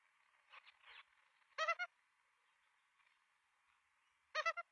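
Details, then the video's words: Australian magpie nestlings at feeding time, nest camera, Melbourne, 23 September 2022: soft, muffled chattering notes early on, then two sharp bursts of harsh, rasping triple squawks a few seconds apart over faint hum. "Feeding Time 11:53 Australian Magpie chicks"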